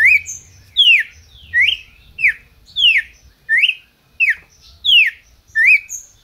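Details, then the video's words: Captive-bred red-crested cardinal in Brazil singing a run of clear whistled, downslurred phrases, about eight in six seconds, some notes rising, with faint high overtones. "Cardeal MAQUINA chamando e cantando"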